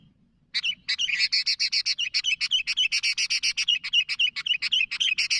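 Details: Lively sooty-headed bulbul calling to companions. After a brief pause comes rapid, continuous chattering: sharp bright chirps repeated about four times per second with slight variation. Quiet background.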